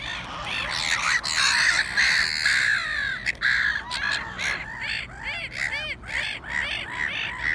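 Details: A trio of black-headed gulls (Chroicocephalus ridibundus) squabbling among themselves in harsh, grating screeches and rapid kek notes, calling over one another with little pause.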